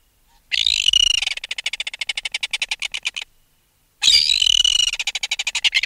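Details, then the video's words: Red-billed tropicbird adult, taken from its nest, giving close-up alarm calls: two harsh rattling bursts of rapid, evenly pulsed shrill notes, each starting loud and screechy then stuttering into a fast series, separated by a brief silence. "Red-Billed Tropicbird. Alarm Calls CU From Adult Removed From Its Nest."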